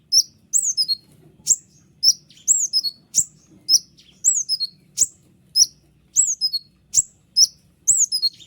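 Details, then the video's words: White-winged triller, long chattering song used as a master recording for other birds: evenly spaced high slurred whistles dropping in pitch, each followed by quick clicks, about two phrases a second. "konin sayap putih unik full nembak rapat tajam suara jelas paling bagus untuk masteran kolibri ninja"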